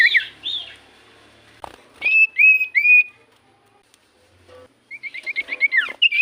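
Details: Common iora singing as a lure for other birds: looping high whistles, three clear rising-falling notes, a pause, then a fast run of short rising notes ending in a downward slur.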